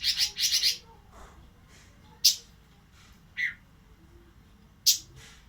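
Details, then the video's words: Breeding-condition Oriental magpie-robin opens with a fast double burst of harsh, high notes, then delivers single sharp chips and a lower whistle separated by pauses. "Burung Robin lagi birahi"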